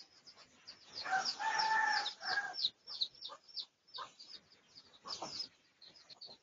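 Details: A red junglefowl, pradu colour form, crows in a research recording dated 18 August 2023. The strong, layered crow runs roughly a second and a half early on, amid steady high twittering from other birds.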